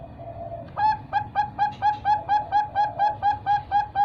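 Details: Bangkok-type zebra dove chick aged three months, bred on a bird farm: a soft low note, then a steady series of short, bright, slightly rising notes repeated about twice a second over a faint hum.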